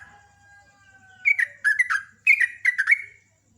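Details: Sooty-headed bulbul kept as a champion contest songbird, singing fast strings of notes: after a steady faint tone, bursts of bubbly, warbled notes tumble up and down in two quick groups.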